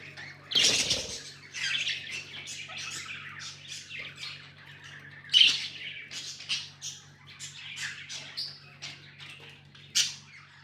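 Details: Pet budgerigars give a few loud, harsh broadband bursts among softer warbling chirps and chatter, irregular throughout, over a faint steady hum.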